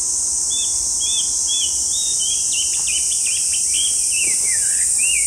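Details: Chinese hwamei, a brown bird about 25 cm long with a white eye-ring extending back as a stripe, singing loudly in a park; varied whistled phrases, slurred and looping, over a steady high insect-like hiss.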